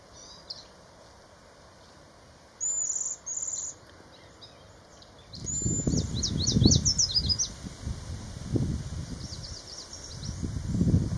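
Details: A male Yellow Warbler sings quick, bright, high sweet notes in short rushed phrases, preceded by a couple of clear slurred notes, in southern Maine in June 2024, where males sing on established territories each morning. Low wind rumble runs underneath.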